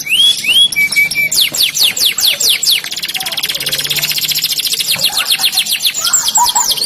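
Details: Canary singing in a fast continuous run: downward-sweeping whistled notes repeated quickly, then a long rapid rattling trill, ending with a few high slurred notes.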